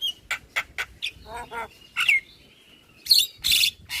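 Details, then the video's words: Javan myna full lure song to draw responses from other mynas: a run of short evenly spaced chirps, a throaty rattle, a sliding whistle held briefly, then loud harsh bursts. "Semua Burung Jalak Seketika Nyaut Dengar Pancingan Jalak kebo Full Isian Ini"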